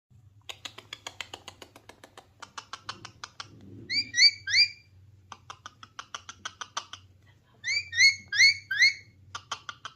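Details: Rose-ringed parakeet (Psittacula krameri) giving rapid dry clicking chatter broken by two bursts of loud, harsh, screechy squawks in quick threes, over a low hum.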